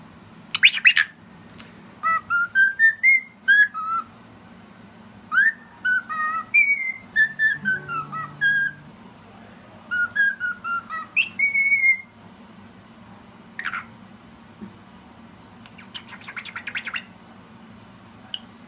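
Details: A pet cockatiel named Peanut whistles a tune along with a person, in clear, rising and falling phrases broken by short sharp chirps.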